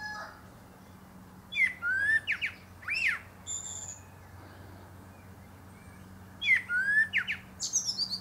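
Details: Common Blackbird (Turdus merula), a male perched atop a pear tree, delivers two mellow warbled phrases with sliding whistles that finish in thin, high twitters, a quiet gap between them and a low hum throughout.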